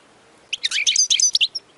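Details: European goldfinch singing for fledglings to copy: a brief, dense burst of bright twittering and tinkling notes lasting about one second.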